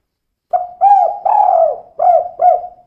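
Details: Female spotted dove, tekukur kuk-2 type. A phrase of five mellow, hollow coos with the longest note in the middle, each note softly falling at its end, against a silent background.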